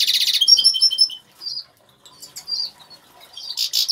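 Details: Caged Major goldfinch, agate colour, singing in an aviary: a harsh buzzy burst runs into a tinkling series of high chirps, then scattered liquid twitters and another rasping buzz at the end.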